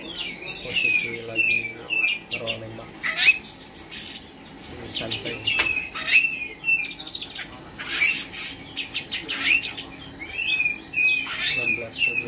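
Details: Cucak cungkok of the spotted type, kept caged and trained to copy Katem, Bren, Rambatan, Parkit and Srindit; repeated bursts of bright whistled slurs and sharp chips every second or two, with faint wing flutters and low murmur.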